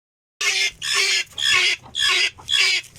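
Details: Helmeted guineafowl giving harsh, grating calls in loud bursts about every half second, each burst broad and scratchy with a faint lower tone underneath.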